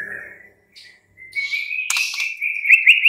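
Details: White-rumped shama in a night lure song meant to set a kept bird singing in reply: a soft opening note, then a long, steady, slightly rising whistle with quick flicks of sound over it.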